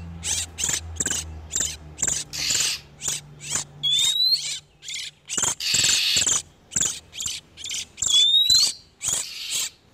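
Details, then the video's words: Male and female oriental magpie-robins in breeding condition, played as a lure for wild birds: irregular bursts of harsh rasping notes with short pauses, and two bright rising whistles. "SUARA PIKAT BURUNG KACER TERBARU/SUARA KACER BIRAHI"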